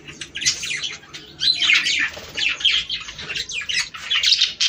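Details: Budgerigars chattering to stimulate breeding: dense, scratchy warbled twitters and squawky notes coming in bursts with brief pauses, several birds overlapping.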